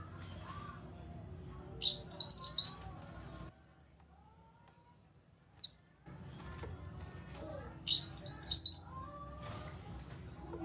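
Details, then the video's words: Kinoi (grey-cheeked bulbul) phrase meant to prompt silent birds to answer: a quick, high, trilling whistled burst heard twice, about six seconds apart, with steady low background hum and brief gaps of silence. "Pancingan Burung Kinoi agar ikut Bunyi Nyaut"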